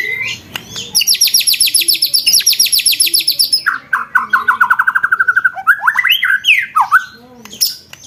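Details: White-rumped shama 'roll tembak' training recording for contest birds: a very high, dense buzzing rattle, then a lower fast trill of repeated notes and a few swooping whistled phrases.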